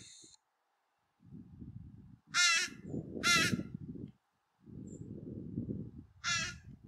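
Young American Crows give three harsh, nasal, high-pitched begging calls, each about half a second long, over a steady low rumbling background.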